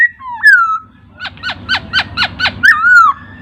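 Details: Laughingthrush song used as a master for training songbirds: a rising whistled phrase, a run of six sharp downslurred notes, then a long wavering falling whistle.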